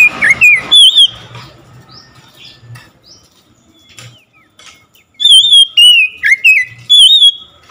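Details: Oriental magpie-robin singing loudly in answer to another magpie-robin. A brief whistled burst opens, then a quiet stretch with faint chirps and soft thumps, then a run of rich, warbled, sliding whistles repeated in quick succession.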